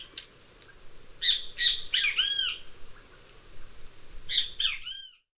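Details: Great kiskadee uttering harsh, ringing arched notes in two clusters, louder in the middle, against steady insect buzzing and a noisy background that fades out at the end.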